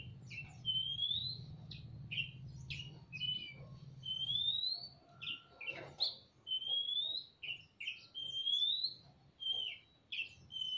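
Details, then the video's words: In a semi-natural aviary, a male and female Oriental magpie-robin trade phrases: rising whistled slurs mixed with short sharp notes, repeated in irregular bursts, with low hum early on. "Burung kacer gacor saut sautan di kandang aviary semi alam (ngobra)"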